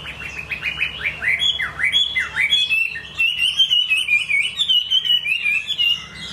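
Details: Chinese hwamei opens with quick repeated downward-slurred whistles, then shifts into a steady, warbling stream of varied whistled notes that undulate without pause.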